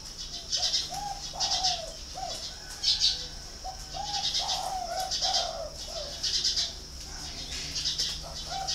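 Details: Spotted dove kept at a bird farm in Ba Vi, Hanoi, Vietnam: a series of low, hollow coo notes, several short and a few longer drawn ones, under constant high chirping from other small birds.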